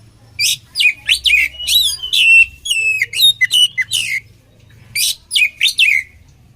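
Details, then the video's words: Oriental magpie-robin song in a combination style for training other magpie-robins. Loud, rapid series of slurred whistles and harsh buzzy notes come in two long bursts separated by a short pause, over a faint low hum. "SUARA KACER KOMBINASI AMPUH UNTUK MELATIH MENTAL KACER"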